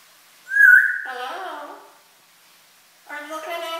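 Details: African grey parrot kept as a pet, talking: a sharp, loud whistle that runs straight into drawn-out, voice-like syllables. After a second of silence, another speech-like phrase with rich, stacked harmonics follows.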